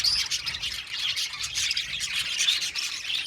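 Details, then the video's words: Dense, high twittering from a flock of aviary budgerigars, with rapid scratchy chirps and occasional thin whistles running over each other without any gap. "Budgies parakeets chirping sound | Cute Budgies birds singing sound"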